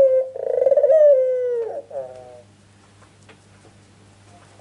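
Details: Rolling, tremulous coo of a ringneck dove meant to make birds answer, gliding downward for about a second and a half, then a short closing phrase and quiet with a low hum.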